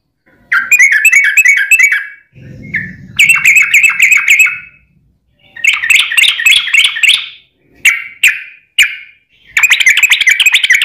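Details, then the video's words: Yellow-vented bulbul in lively, long rolling song used as a lure to make other bulbuls answer: bubbly chattering phrases of quick fluttering notes, broken by short pauses and a few clipped single notes. "trucukan gacor ROPEL PANJANG buat pancingan trucukan agar bunyi JADIKAN burung trucuk gacor NYAUT"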